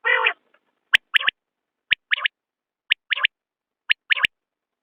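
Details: Repeated crisp three-part whistles of a common quail, a high click-like note followed by a quick double note, about once per second after a brief nasal opener.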